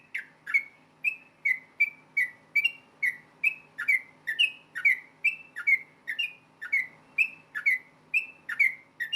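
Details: Fighting song of a yellow-vented bulbul, used to provoke other bulbuls into replying: a fast, unbroken run of clear whistled notes at a similar pitch, each starting with a crisp click, about two per second.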